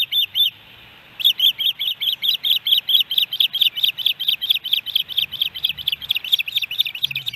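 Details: At a Montana osprey nest in Hellgate Canyon, Missoula, July 13, 2018, during fish deliveries: two sharp whistled notes, a brief pause, then a fast run of roughly twenty-five high, slurred chirps.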